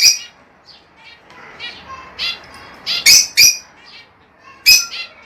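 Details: Lovebirds kept for breeding give scattered sharp high chirps among softer chatter, with a loud double call midway and another shrill note near the end.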